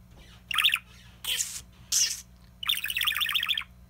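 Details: Pet parakeet saying "kiss, kiss" and then "big kiss": a short chirp-like syllable, two hissing bursts, then a longer warbled phrase, all high and scratchy, in a quiet room with a faint low hum.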